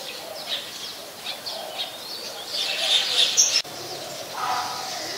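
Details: Olive-backed sunbird at a home garden, late afternoon of 23 March 2021: rapid sharp high chips and short sweeping notes, loudest midway, with a brief lower warble near the end and constant ambient hiss.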